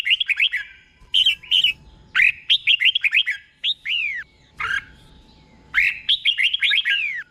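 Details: Caged red-whiskered bulbul singing as a tutor bird, with clearly doubled phrases: repeated short groups of liquid chirps and downward-sweeping whistles, coming in bursts with short pauses between them.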